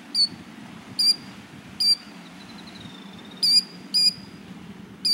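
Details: A female plover on her nest of four eggs on an evening at Birch Bay, Prince Albert National Park, Saskatchewan, tries to drive intruders away with sharp, high piping notes, six in five seconds at an uneven pace, with a faint thin whistle between and a low rumble.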